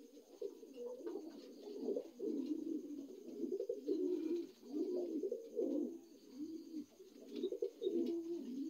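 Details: New adult dun Lahore pigeon indoors giving a steady stream of deep, burbling coos in wavering bursts of a second or two, separated by brief dips, over a quiet room background.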